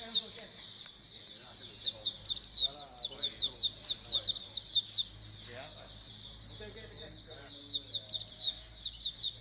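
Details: Many white-eyes (pleci) chirping as a colony to get birds singing: bursts of high twittering notes, a quiet spell around the sixth second, then more chirps, with a low hum beneath.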